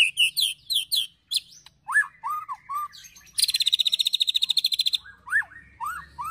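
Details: Agitated ketrekan-style white-rumped shama song with sharp 'tembakan' bursts and cililin and prenjak phrases, used for provoking and training birds: high whistled notes, then slurred arching whistles and a rapid buzzy rattle of about twenty pulses.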